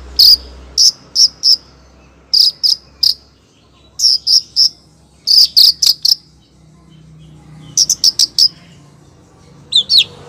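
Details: A female long-tailed shrike calls to the male with rapid bursts of three or four harsh, piercing high notes, repeated every second or two in a steady chattering series, ending with a double squeaky note.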